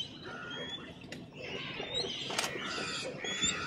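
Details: River tern (Sterna aurantia) at Ranganthittu Bird Sanctuary, Mysore, India, giving harsh, grating high calls in quick, uneven bursts, overlapping with the chatter of other birds nearby.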